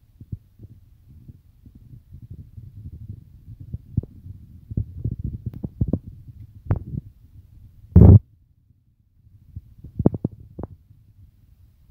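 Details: Low rumbling and muffled thumps, with one sharp knock midway and no clear animal calls.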